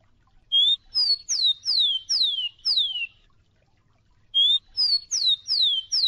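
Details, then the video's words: A Rufous-collared sparrow (Zonotrichia capensis) sings clear, high whistles: a level opening note, then four or five downslurred notes, the phrase repeating after a short pause with no other sounds. "Uma hora de Tico-Tico (Zonotrichia capensis) campeão"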